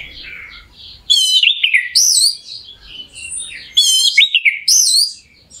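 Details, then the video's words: Anis merah, or orange-headed thrush, song used to rouse a caged bird: soft warbling, then two loud phrases of sharp chirps with slurred whistles about every three seconds. "ANIS MERAH GACOR💥PANCINGAN NAIKKAN EMOSI ANIS MERAH CEPAT GACOR"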